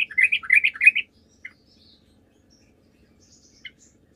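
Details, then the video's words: A brisk second of warbling, jumbled notes from a sooty-headed bulbul, followed by two lone chirps and quiet; the song serves as a lure to make other birds answer. "PANCINGAN TRUCUK GACOR, TRUCUK MANAPUN DIJAMIN LANGSUNG NYAUT"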